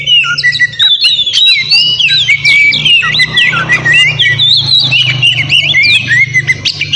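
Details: Continuous white-rumped shama (kacer) song for provoking rivals: rapid, varied whistles and harsh chatter in long unbroken phrases, with a constant low electrical hum in the background.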